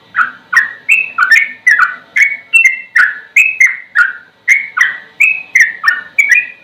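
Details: Yellow-vented bulbul song in a slow, rapid-repeat 'ropel' style, used for tutoring other songbirds: bubbly whistled phrases, falling then rising, delivered in a steady run of about two or three a second with no pause, in a quiet background.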